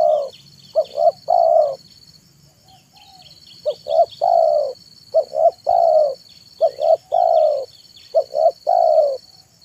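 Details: Spotted dove (tekukur) singing in the afternoon as a lure for wild and taught birds: a run of phrases, each two short hoots and a drawn-out coo, repeated about every two seconds, with a faint insect-like buzz and steady whine.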